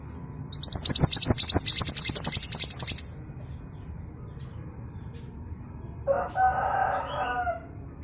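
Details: A local East Javan female long-tailed sibia, kept to prompt males into song, delivers a rapid, high-pitched chatter of sharp repeated notes for about two and a half seconds. A lower warbling phrase follows later.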